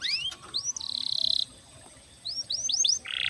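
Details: Fainter canary song over steady background hiss, used to coax other canaries into singing: scattered rising whistled sweeps, a short buzzy trill and a closing rattle.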